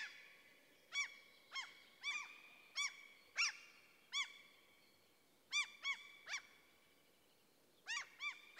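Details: Common cranes in a forest in central Sweden give loud, arched, ringing calls in short bursts of two or three notes. The bursts repeat every second or so, with quiet gaps between groups.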